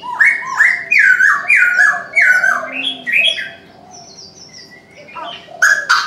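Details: Morning call of a Chinese francolin: a burst of five or six strident, down-slurred notes in quick succession, tailing into softer rising notes, followed by a lull and a few higher chirps from other birds.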